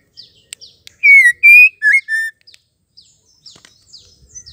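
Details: A female white-rumped shama gives four loud, clear whistled notes, some sliding down, then softer high chips and twitters; a female's song used to stimulate male shamas to sing and show fight.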